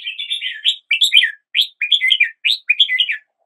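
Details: Red-whiskered bulbul song: short, cheerful warbled phrases of several quick, rising and falling notes, separated by brief pauses, repeated about five times.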